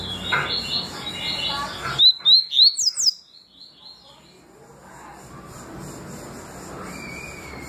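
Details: Double-collared seedeater, songs known as tui tui and deputado, gives a quick series of about five sharp upslurred whistles in one burst, framed by steady background hiss and a faint later whistle.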